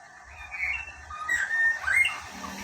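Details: Caged female lesser racket-tailed drongo singing its wild-style song: clear whistled notes around a steady pitch, a few slurred rising and falling phrases, with faint low background hum.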